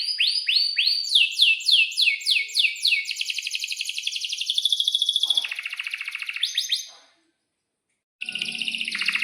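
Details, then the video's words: Canary in breeding condition delivering sharp chirps and long rolls for training young canaries: rapid repeated down-sweeping whistles run into a buzzy rolling trill, a short silence, then song resumes. "kenari gacor panjang buat pancingan kenari paud belajar bunyi agar NYAUT"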